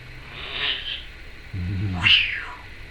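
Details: Pet female Timneh African grey parrot making varied noises indoors, a cat-like meowing sound in places: a hoarse mid-pitched note, a low gravelly rattle, then a sharp descending squeal, her owner speaking nearby.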